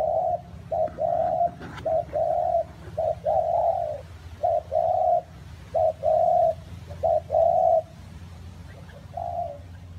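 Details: Spotted dove during rain and wind, cooing in repeated phrases of clipped and longer hollow notes at a fairly even low pitch, roughly one per second, over a persistent low rumbling backdrop.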